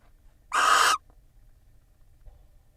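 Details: Barn owls at a nest-box camera in Israel, preening each other while the female incubates eggs laid in early March; one harsh, hissing screech of about half a second, broad and noisy, then near silence.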